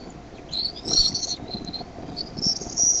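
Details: Bald eaglets at the Decorah nest on 13 May 2015, early evening, growing noisier as their mother brings in food; thin, high whistled peeps that rise and slur, in two bursts with a short gap between them.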